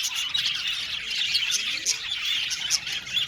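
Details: Budgerigars in an aviary colony: a dense, continuous mass of high chirps, squawks and warbled chatter from many birds at once, with no pauses and a few louder sharp notes breaking through.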